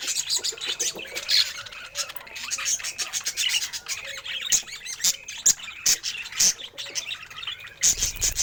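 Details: Happy pet budgerigar keeping up a dense, continuous warble of high scratchy squeaks, clicks and chirps, with sharp louder notes popping out every half second or so.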